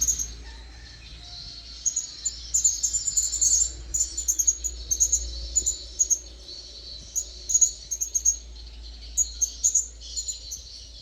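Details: Wild blue-crowned hanging parrot coming closer, uttering rapid series of short, piercing high-pitched chips in clustered bursts across several seconds, set against a constant shrill insect drone and low rumble.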